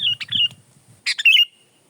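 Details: Sooty-headed bulbul (kutilang) song for training or luring: a clipped whistled phrase over a low rumble, a pause, then a harsh burst ending in a ringing, drawn-out whistled note.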